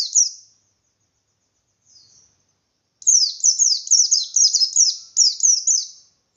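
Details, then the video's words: White-eye (pleci) singing a strong 'ngalas' song to rouse rival white-eyes: a short opening note, a faint soft phrase, then a sustained fast run of high sweeping chirps, about two per second. "Burung Pleci Gacor Pendongkrak Emosi Pleci Lain"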